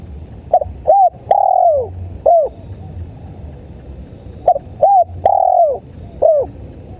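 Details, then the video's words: Tekukur, the spotted dove, cooing in a bird-luring recording: a phrase of short soft hoots leading into a long sliding coo, the whole phrase heard twice about four seconds apart, with low background hum. "MP3 SUARA TEKUKUR"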